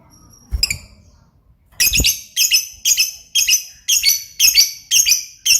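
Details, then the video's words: Lovebird chirping energetically, a low thump then a steady run of harsh, high, buzzy chirps repeated about twice a second, each a broad squeaky burst. "burung Lovebird paling keren dan gacor"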